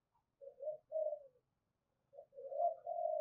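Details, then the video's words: Quiet, soft spotted dove coos in the thúc gù lure style, a few low, hollow notes followed by a longer rolling coo run near the end. "tiếng cu gáy/ cu gáy thúc gù bài bản dùng kích bổi"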